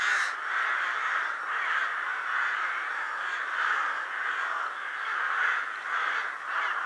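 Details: A huge winter flock of rooks gathering at Ottakring cemetery in Vienna shortly before dusk gives a continuous overlapping chorus of harsh, grating caws, with individual calls rising above the dense wash of sound.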